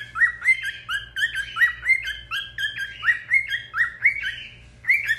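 A cockatiel sings a lively run of whistled, warbling notes that rise and fall in quick succession.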